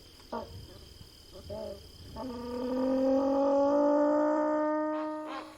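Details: Rufescent tiger heron (socó-boi) calling: a few short low grunts, then a long, steady, deep moaning note that swells and holds for about three seconds before breaking off into rough notes.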